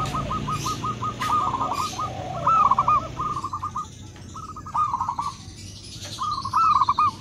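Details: Local and crossbred zebra doves answer each other, trading soft, rapid strings of staccato cooing notes in rolling bursts, with faint higher chirps from other birds behind.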